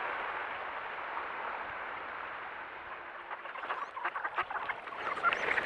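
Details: Thousands of ducks, green heads, blue wings, green wings, wood ducks, wigeon, pintail and Polish mallards, swarming a flooded cornfield, caught by a trail camera: a soft, hissing murmur of massed calling that breaks into sharper, clustered quacks near the end.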